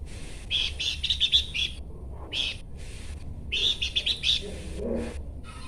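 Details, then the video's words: Bush babbler calling in quick clusters of buzzy, chirping notes, separated by short silent breaks, with a faint low background rumble. "UNIKNYA SUARA DAN GAYA BERKICAU BURUNG PELANDUK SEMAK"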